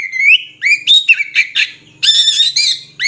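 An Oriental magpie-robin sings a rich, varied run of clear whistles, rising slurs and rapid warbled phrases, loud and high-pitched, with no other sounds.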